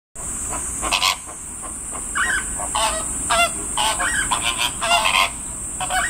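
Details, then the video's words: Greater flamingo chicks at Kyoto City Zoo, Japan, recorded 19 July 2024, calling loudly with a voice unlike the adults'; short nasal, honking calls in irregular bursts with some bent, wavering notes over a steady high background hiss. "フラミンゴ ヒナの鳴き声"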